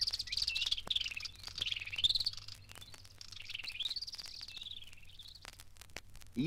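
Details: Hunter's Cisticolas in East Africa duet, males trilling and females filling in a three-note call, in a fast, high, wavering stream of trills and short repeated notes that rise and fall for about five seconds; a low voice cuts in at the end.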